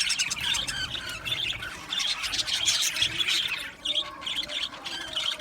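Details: Many Australian budgies chirping together in an aviary, a constant high chatter with short squeaky notes, dipping briefly just before the fourth second.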